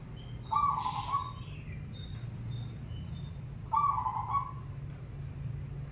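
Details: Zebra dove song meant to set other perkutut singing: two short, vibrating coo phrases three seconds apart, with faint higher chirps from other birds between them.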